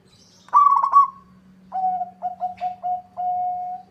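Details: Local zebra dove singing back at a rival. A loud, rapid, bubbling trill is followed by a pause, then five clipped mellow coos and a drawn-out steady note. A constant low hum runs underneath.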